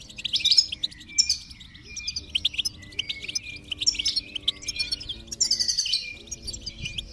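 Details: Goldfinch song for stimulating a silent goldfinch: bursts of lively, tinkling chirps and short trills separated by brief gaps, with steady low drone-like tones underneath.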